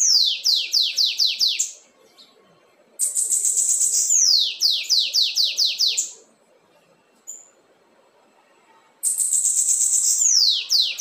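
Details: Caged Lined seedeater wearing a red leg band, singing in the 'assobio com belga' style: bursts of about two seconds of rapid, high, downward-sweeping whistled notes, five to six per burst, separated by short silences.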